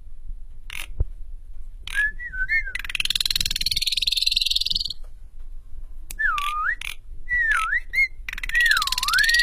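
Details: Asian pied starling, a kept bird being tamed to sing vigorously and fight: curving whistled notes dipping and rising, separated by sharp clicks and a long harsh rasping burst in the middle.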